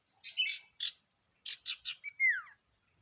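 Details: Short burst from an actively singing ashy tailorbird (sirtu): three harsh buzzy notes, a pause, three more rapid buzzes, then a clean whistle that bends sharply downward.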